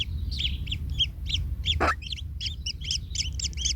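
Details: Kingfisher chicks in a nest, one trampled by its parent and hurt: rapid paired high chirps repeat steadily throughout, broken once by a short harsh rasping squeal near the middle, over a low rumbling background.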